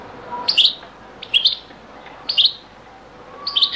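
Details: European goldfinch, Beni Messous 'les avocats' (zaboka) song style from a very old recording; four short, sharp twittered phrases, each a quick cluster of high notes, spaced about a second apart over a quiet hiss.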